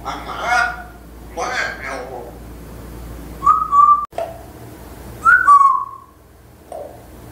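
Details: Caged African grey parrot known for speaking phrases and reciting part of Surat Al-Ikhlas; here it gives two hoarse speech-like syllables, then two clear whistled notes, one flat and one falling, with a faint note at the end.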